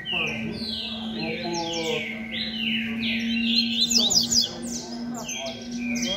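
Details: Double-collared seedeater (coleiro) singing the 'beco' song style while competing with other birds in a noisy session; rapid repeated buzzy and whistled downslurred notes overlapping from several singers, with a steady low hum beneath.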